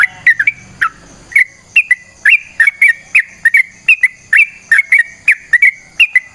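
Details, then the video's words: Yellow-vented bulbul singing as a lure: two brief notes and a short rustle, then an unbroken series of bubbly, slurred whistles, about three per second. "Trucukan GACOR ngalas ROPEL PANJANG suara alam AMPUH buat pancingan"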